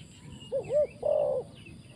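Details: Spotted dove kept as a trapping decoy: two short, rounded coos followed by one longer, level coo. Faint high, downslurred chirps sound in the background.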